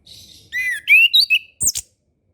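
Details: Master song of an orange-headed thrush for young birds still learning: a buzzy note, then a run of ringing whistles rising and falling, followed by two sharp high clicks.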